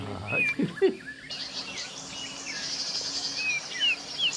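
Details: Common Iora in the forest canopy at Vanoshi in India's Western Ghats: a few short, clear whistled notes, some rising and slurred, scattered across the clip over a soft insect hum, with a few low knocks near the start.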